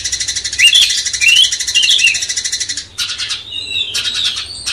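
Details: A cucak cungkok bulbul sings a dense, buzzy, high chatter with bright whistled slurs woven through, running almost without pause; the song is used as tutor song to rouse a white-rumped shama (kacer).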